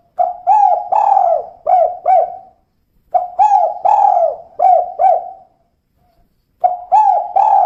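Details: Repeated phrases from a female spotted dove in the "kuk 2" style. Each holds about five mellow, slurred coos, with brief gaps between the phrases.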